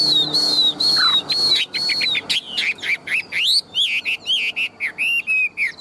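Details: Large, tame Chinese hwamei in a cage, a loud singer and a fighting bird, starts with long level whistles and then breaks into quick varied slurred notes and sharp upward sweeps, repeated in choppy bursts.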